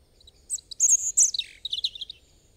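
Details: Robin song phrase: a few high pips, then loud shimmering high whistles, a downward-sliding note and a quick series of tinkling warbled notes.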